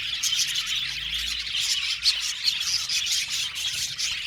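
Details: Many budgerigars kept in an aviary, chattering in a thick blend of rapid high chirps and whistled squeaks that never stops, with a few sharper notes standing out.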